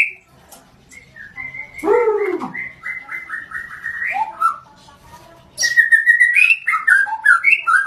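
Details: White-rumped shama of the blorok variety with a varied song: steady whistled notes, a low descending cooing sound, a stuttering series, then after a pause a burst of fast bright whistles and warbles.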